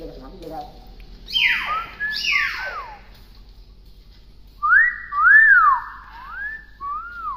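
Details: Tame pet hill myna, described as clever and imitating many words, gives loud whistled notes: two steep falling sweeps, then a run of rising-and-falling looping whistles, in a small indoor room.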